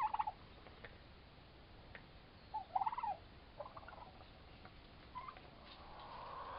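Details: Two four-month-old turkey toms fighting; scattered short yelping and gobbling notes, a louder cluster near the middle, amid low background noise.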